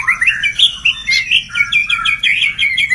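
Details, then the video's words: White-rumped shama pouring out a dense, continuous warble of mixed whistles and chirps at a steady pace, over a constant low background rumble. "kumpulan kicau MURAI BATU gacor"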